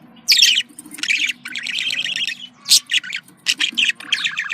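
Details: Budgerigar chattering contact calls: harsh, buzzy squawks and grating warbles running together, then a string of quick high chirps, over a low background hum.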